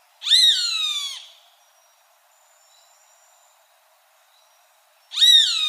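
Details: Roadside hawk giving two drawn-out, nasal, downslurred screams about four seconds apart, each close to a second long, with faint thin tones in the quiet gap between them.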